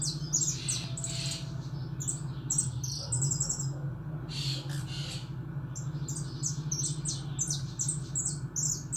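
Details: Caged pet European goldfinch singing indoors: rapid twittering, buzzy and tinkling high notes in bursts with short pauses, over a steady low electrical hum.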